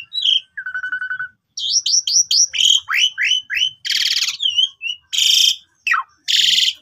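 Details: Asian pied starling lure song, long phrases with a pumping style: short whistles, a low wavering note, a run of falling slurs, loud harsh rasping bursts and a steep downsweep.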